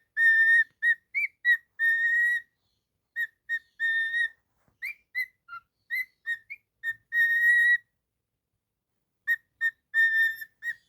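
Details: Pet cockatiel whistling a run of clear, pure notes, each with a bright ringing overtone stack, delivered in quick bursts with short pauses and a longer held note near the end; no other sounds.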